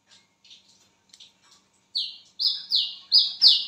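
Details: At midnight, soft scattered twittering comes first, then a wiceh bird breaks into five loud, high whistles, each dropping sharply in pitch, repeated roughly every third of a second.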